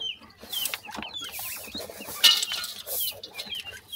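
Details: Partridge chicks call with repeated thin, high, falling peeps from several birds, accompanied by rustling and a brief louder scrape.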